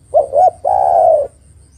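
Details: One call phrase of a female spotted dove calling for a male: two brief coos run together, then a longer, even, mellow coo lasting over half a second, with faint low hum.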